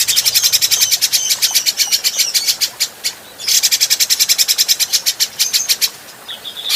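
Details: Adult grey-cheeked bulbul on a cagebird training recording: long runs of rapid, buzzy, rattling notes, broken by one short pause near the middle. A brief whistled note ends the passage.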